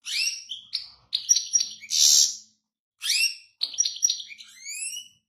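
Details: Goldfinch song: lively high twittering with tinkling trills and a harsh buzzy rasp in the middle, a short break, then more rapid chirps ending in clear upslurred whistled notes.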